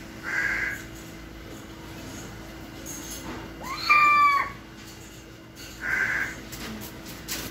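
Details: A small owl kept as a pet gives a short raspy screech, then a drawn-out nasal, mewing note, then another rasp, spaced a few seconds apart over a low steady hum.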